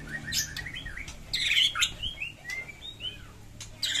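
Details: White-rumped shama fighting song packed with varied fill phrases, used as a trigger for non-singing birds: thin whistles, a harsh buzzy burst, then a string of sweet upslurred and downslurred notes, faint hum below.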